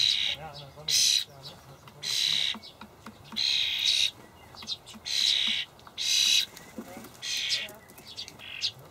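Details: Starling young begging while parents deliver dried buffalo worms, Hamburg allotment garden, 28 May 2012; a steady run of coarse, screechy bursts about once a second, with clicks and a faint low chatter beneath.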